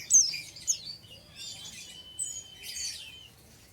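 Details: An untrained oriental white-eye sings ngeriwik: sharp high tweets open the phrase, then softer twittering and a long, steady thin whistle-like tone run through the middle.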